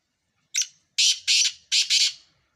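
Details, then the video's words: Harsh rasping phrase of a black francolin: one brief clipped note, then three strong scratchy notes in quick succession, the final note doubled, with no other sounds around it. "مکس کالے تیتروں کی مکس آوازیں"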